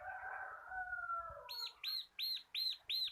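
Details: Bar-winged prinia of the local kristal kapas type in lively ngebren song used as a tutor for cage birds. A lower sliding whistle fades out, followed by five loud ringing arched notes at a steady, rapid pace.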